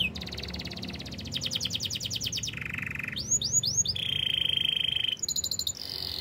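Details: Canary song for training other canaries: fast pulsed rattling roll, then a low steady trill, three quick looping whistles, a long level buzzy trill and a final pulsed rattle.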